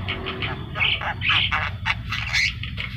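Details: Javan myna singing vigorously in the gacor style: a run of harsh, raspy, chattering bursts with a few brief whistled notes, rising and falling in loudness over about three seconds.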